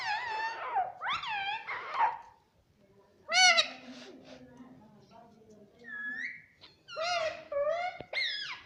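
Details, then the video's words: Indian ringneck parakeet kept as a pet, imitating human words with shrill, harmonic phrases that arch up and down, repeated in clusters, with a low murmuring background in the middle. "Mitthu Mitthu Bolne Wala Batuni Tota - Talking Parrot"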